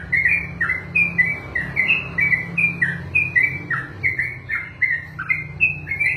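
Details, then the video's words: Yellow-vented bulbul (trucukan), a kept songbird, singing a long 'ropelan' rapid song: a continuous run of short, bright, slurred whistled notes, each dipping then rising, about three per second, over a steady low hum. "ROPELAN BURUNG TRUCUKAN TERPANJANG DALAM SEJARAH"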